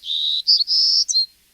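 A Golden-cheeked Warbler sings a brief, high phrase: a few buzzy notes running together, then a couple of clear, pure notes at the end.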